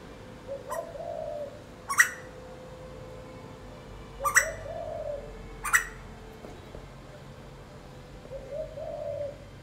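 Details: Asian koel perched on front-yard plants, calling in the early morning: soft hollow low rising "uuwu" notes, repeated a few times, mixed with sharp clicking snaps and faint background music.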